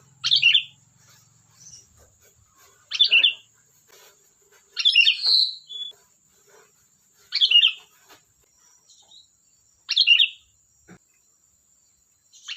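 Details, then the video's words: Sooty-headed bulbul singing lively chatter: short bubbly, warbled phrases repeated about every two and a half seconds, each a quick tumble of bright notes with slurred ends, over quiet background. "Suara burung Kutilang Gacor || Ocehan Kutilang"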